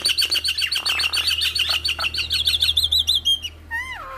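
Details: Javan myna (jalak kebo) training song with full 'isian' fills, meant to prompt other mynas to join in: a fast run of chirpy high notes, a brief buzzy rasp, ending in two falling whistles.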